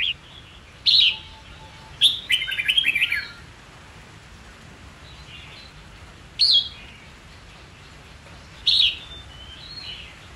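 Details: Training song of the red-whiskered bulbul, meant to teach young birds and stir fighting song: brief loud whistled bursts separated by seconds of quiet, one longer warbling phrase early on.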